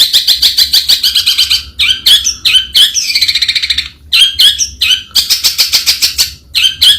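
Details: Long-tailed shrike (Lanius schach) sings a varied, fast chattering song: rapid clipped notes, scratchy phrases, a burst of quick pulses and a descending buzzy slur, with almost no pause throughout.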